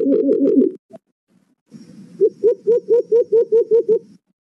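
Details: White-eared brown dove, locally called alimokon, heard as a trapping lure: a fast burst of muffled overlapping notes, a pause, then eight evenly spaced hollow hoots in about two seconds.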